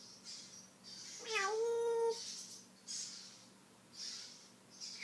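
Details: African grey parrot that talks and mimics: one drawn-out tonal call sliding down then holding steady, meow-like, set against repeated soft hissing bursts in a quiet room.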